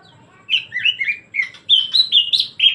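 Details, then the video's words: Greater green leafbird singing in the energetic, nonstop 'gacor ngebren' style: a string of bright whistled and slurred notes, rising then falling, with later phrases climbing higher and sharper, over a faint low hum. "CUCAK IJO GACOR NGEBREN"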